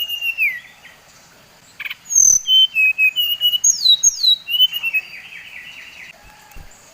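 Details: Song of a Bali brown-chested jungle flycatcher, played to excite other birds: a sweet whistled phrase, then a lively string of descending whistles and slurred trills lasting about three seconds.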